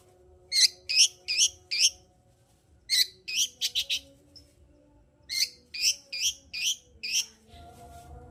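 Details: Long-tailed shrike lure song to make a lazy shrike sing; quick groups of high, sharp chattering notes, four or five per burst, with short gaps, over a faint low background hum.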